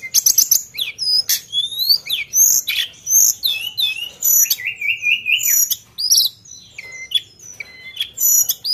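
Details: Energetic Sunda bush warbler with sharp shooting notes and fill-in phrasing: rapid high chips and slurred whistles, a rising trilled phrase midway, then more varied piercing notes throughout.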